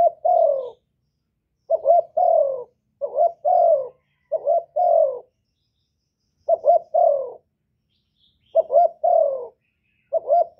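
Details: Loud cooing of a spotted dove, recorded without background noise for use in rousing kept doves to sing: paired and tripled soft hooting notes, each falling gently, grouped phrases separated by pauses of about a second or more.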